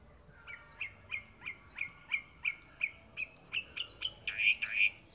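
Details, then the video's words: Chalk-browed mockingbird singing a steady series of short clear notes, about three each second, each dropping slightly, building louder toward the end with faint background hiss. "Calandria Grande Canto - Calandria Grande - Chalk-browed Mockingbird Bird Song - Mimus Saturninus"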